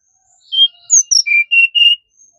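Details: Brown-chested jungle flycatcher singing a short phrase: a soft lead-in whistle, then two high sliding notes followed by three lower, evenly held whistles, clean and unaccompanied.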